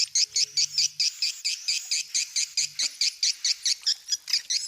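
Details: Swiftlets give rapid, high chirruping twitters, about two to three per second in a steady run, possibly mating, playing or pair-seeking calls, with faint low hum in the background.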